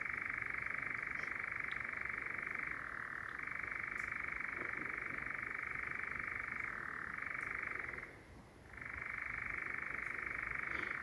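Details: European Nightjar churring very close on a nocturnal walk in Sherwood Forest, with a second bird calling far off; a steady, rapid mechanical trill that shifts pitch slightly around three and seven seconds and breaks briefly near eight seconds.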